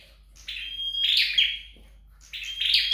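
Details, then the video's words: Flowerpecker being trained to sing at home gives two high phrases, each opening with a buzzy note, then a thin level whistle and a bright twittering burst, with a quiet gap between them. "Dợt Sâu Đầu Đỏ Tại Nhà"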